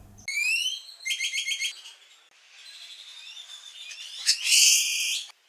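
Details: Great-tailed grackle (Quiscalus mexicanus) call: rising, stacked whistled slurs, a quick clattering run of metallic notes, a thin upslurred whistle, then a loud, harsh, screechy blast.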